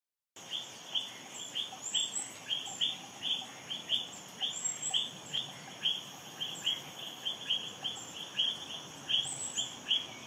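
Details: Olive-backed flowerpecker of subspecies parsonsi feeding its young in the Philippines in May, recorded with a Panasonic Lumix G9. High, thin chips repeat steadily, about two to three per second, with faint sharp ticks above and a constant high insect hiss.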